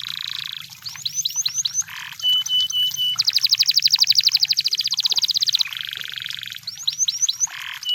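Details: Singing wild canary alternates buzzy rolls, quick upswept slurred notes and clear piping tones, then a long bright rapid trill at about four beats per second before returning to rolls and slurs.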